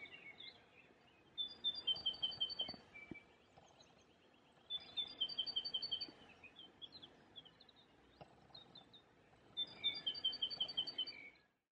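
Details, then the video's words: A great tit sings in April 2020 at a cemetery by the Perlacher Forst in Munich: three bright bursts, one about every four seconds, each a quick run of high, see-sawing two-note phrases over soft hiss. "Kohlmeise (Great Tit)"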